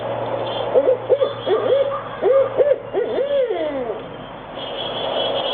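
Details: A recording of a Barred owl (Strix varia) call is played back: a run of loud, wavering hoots that rise and fall, ending in a drawn-out descending note, over a faint hum.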